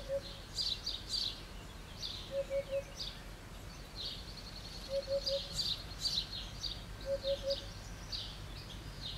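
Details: Eurasian hoopoe perched on a roof tile, singing insistently: soft, low hollow triple hoots, 'oop-oop-oop', repeated about every two and a half seconds, beneath louder high chirping from other small birds and steady background noise.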